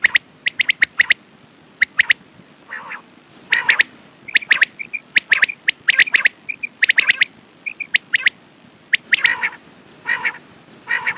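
Quail calling in quick clusters of sharp, clipped notes, mixed with short higher whistled pips and a few harsher lower squawks, repeated every second or two.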